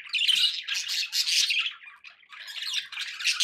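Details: Pet budgies make a loud, harsh chattering with bright twittering bursts and a short lull in the middle.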